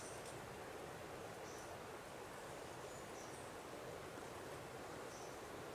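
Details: Steady broadband rushing noise like a stream or wind throughout, with a few faint high ticks and no clear animal call.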